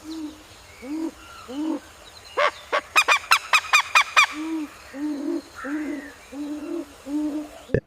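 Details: A Greater Coucal (Centropus sinensis) in India gives deep, hollow 'coop' hoots about every half second, likened to a potter's empty pot, broken midway by a quick burst of sharp, ringing notes.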